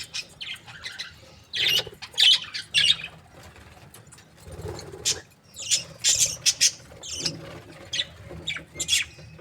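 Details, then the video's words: Happy budgerigars from breeding pairs chirping: bursts of high, scratchy chirps and squeaky chatter arriving in irregular clusters, some louder notes standing out, with quieter twittering in between. "Happy budgie chirping sounds"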